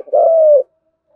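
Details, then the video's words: A single long, smooth coo from a spotted dove decoy calling its flock, held for about half a second with a slight fall at the end. No other sounds. "tiếng cu gáy gáy gọi bầy"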